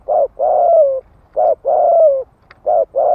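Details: Loud, close spotted dove giving rapid 'thúc gù' cooing meant to rouse wild males. It alternates brief hollow notes with longer drawn-out coos that sag in pitch at the end, in quick succession, with a faint click between phrases.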